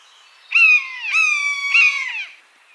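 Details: A wild buzzard gives a run of three mewing notes in close succession, each slightly falling and almost joined to the next, lasting nearly two seconds. Natural habitat, little background sound.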